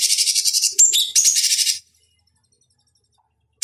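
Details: Fast high rattling trill with a few sharp whistled slurs from a cucak cungkok (bulbul), recorded for training fighting birds. The trill lasts nearly two seconds, then silence, then a new note begins.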